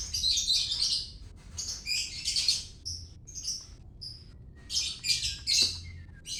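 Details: White-rumped shama of the Medan type, singing a loud, varied song: clear high whistled notes mixed with rapid scratchy trills and harsh bursts, delivered in short phrases with brief pauses, over a faint low hum.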